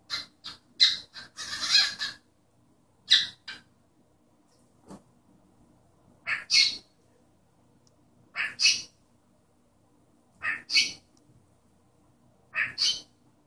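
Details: Pet cockatiel imitating its owner's sneeze and chattering: a burst of clustered noisy squawks, then paired hissing bursts that sound like a sneeze, repeated every two seconds or so in a quiet room.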